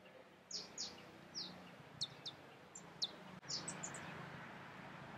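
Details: Bronze Sunbird (Nectarinia kilimensis kilimensis) in Musanze, Rwanda, March 2013, giving a run of sharp, high, downslurred chips and thin notes, spaced irregularly about every half second, over a soft background hiss.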